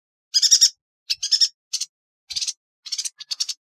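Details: A yuhina gives a pulsed high trill, then shorter chattering bursts and clipped chips at uneven intervals, forming a tutor song for caged songbirds; no background noise.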